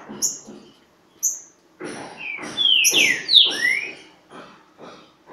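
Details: Green-winged saltator at Pedra Azul in a song dispute with a free bird: a loud burst of clear, downslurred whistles mid-clip, with high thin chirps and a steady series of dull broadband pulses throughout.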